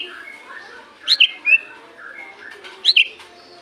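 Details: White-rumped shama lure song for morning and evening, with soft, steady whistled notes punctuated twice by brief, sharp high chirps over a low background hum.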